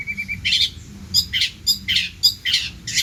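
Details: Long-tailed shrike in lively mimicking song, giving rough buzzy bursts roughly twice a second, preceded by a few soft ticking notes.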